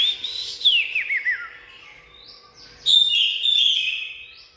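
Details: Oriental magpie-robin singing a sweet whistle that drops into quick looping trilled notes, a pause, then a loud varied phrase of clear and buzzy whistles.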